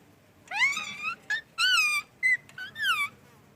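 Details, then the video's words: Parrot calling: five harsh, nasal squawks over about three seconds, some drawn out and slightly rising then falling, with short clipped notes between them, in a quiet room. "Parrot calling voice | chirping sound"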